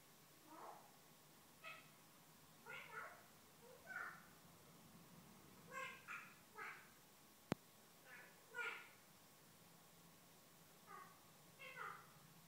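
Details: Morning chatter from a female Eclectus parrot talking away to herself on waking: a dozen or so brief, voice-like syllables in loose clusters with uneven gaps, plus one sharp click midway, against a faint low hum.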